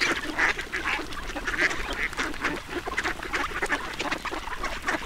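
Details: Feeding duck making fast, clipped quacks with brief higher squeaky notes, packed closely together over steady background noise.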